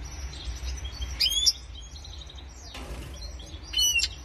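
Two short bursts of high, bright twittering song from a goldfinch and canary hybrid, about two seconds apart, with a brief rushing noise between them.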